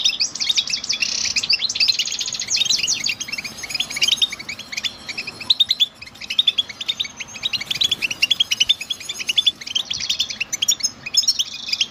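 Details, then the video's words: Extended goldfinch song of rapid high twitters, liquid chirps and harsh buzzy trills, rolling on in varied phrases with short breaks, against light background noise. "Motivating sounds of the hero goldfinch bird"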